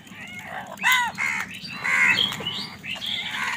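Crows give harsh, nasal caws in quick, overlapping bursts as birds squabble over food.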